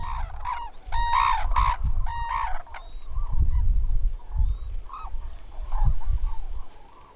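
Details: Red-crowned cranes wintering on the Imjin River banks in the Korean DMZ, likely a pair with young, give loud ringing trumpeted calls in a quick burst of four or five, then softer notes, over low wind rumble.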